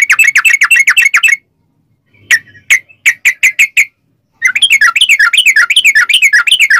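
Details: Sooty-headed bulbul giving long ropel song meant to lure other bulbuls into calling: a dense burst of rapid bubbly notes, a brief gap, a slower string of sharp chips, then another fast warbling stretch.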